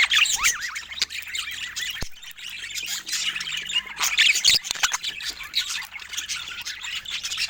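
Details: Playing pet budgies chatter nonstop, a shrill mix of looping warbles, squawky notes and fast clicks, with a louder burst of squeaks near the start and again after four seconds.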